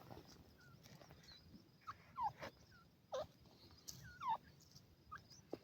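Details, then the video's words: A partridge, possibly a chukar, with chicks gives short, sharply down-slurred calls about once a second mixed with softer high peeps over faint hiss; labelled a female "Iranian pheasant", also called grey francolin or teetar, feeding chicks. "sound of a female Iranian pheasant"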